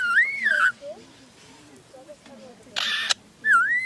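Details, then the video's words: Lyrebird, an Australian native bird that copies the sounds around it, giving loud whistled, swooping notes with rich overtones at the start and end, a short harsh noisy burst in between, and faint low murmuring beneath. "Burung LYRE"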